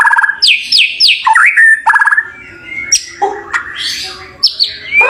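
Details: White-rumped shama (murai batu), a champion songbird, singing loud rich phrases: descending whistled slurs, quick chattering notes and harsh, scratchy bursts in a fast varied sequence.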